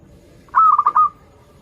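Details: Local zebra dove singing, meant as a lure for doves learning to sing: one brief burst of four or five quick, rolling coo notes easing into a soft trailing tone.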